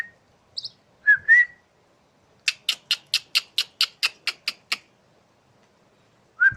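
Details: Asian pied starling whose song is said to sound like a person laughing; a few short slurred whistles, then a quick run of about ten sharp, evenly spaced staccato notes like a chuckling laugh, ending with another whistle.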